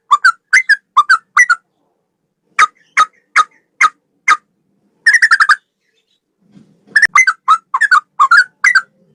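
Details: Male sooty-headed bulbul in long rapid 'ropel' song: paired bubbly whistles, then a string of single sharp notes, a quick buzzy trill, and more wavering paired phrases.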